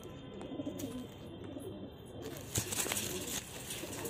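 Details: A pair of Cheena-type pet pigeons gives low, murmuring coos in short bursts early on, then quieter rumbling, over constant background hiss and a sharp click midway.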